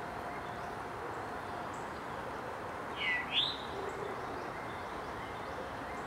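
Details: An Eastern Towhee at Clyde Shepard Nature Preserve, 13 February 2017, gives a single quick, rising two-part call, a bright upslurred 'chewink', over a steady background hiss of wind or distant traffic.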